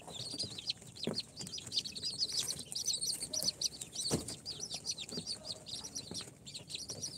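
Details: Several incubator-hatched baby chicks of Sultan, Golden Sebright, Cochin and booted breeds, on day four, peep constantly: shrill, high, quick descending chirps overlapping in a dense chorus, with occasional low thumps and scratching sounds.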